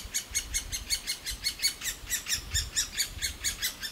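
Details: Nestling great spotted woodpeckers in an aspen cavity begging nonstop for food from the parent birds; rhythmic, slightly buzzy high chirps, about four a second, each rising and falling in loudness.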